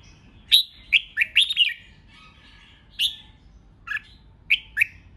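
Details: Red-whiskered bulbul in competitive song aimed at rousing rival birds: bright swooping whistles in quick clusters, a pause, then paired descending notes repeated.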